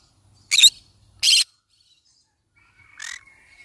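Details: Yellow-sided conure parrot producing two loud grating squawks in quick succession, then a softer rough call mixed with a thin steady whistle.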